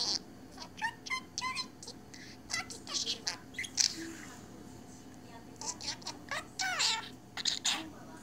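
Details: Indoor pet budgerigar, absorbed in itself, producing rapid bursts of clicks, ticks and short warbled syllables in an uneven, run-on chatter throughout.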